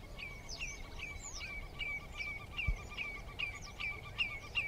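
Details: A jack snipe on a bog gives a fast run of clipped, hollow notes, about two or three per second, with a low background rumble of wind.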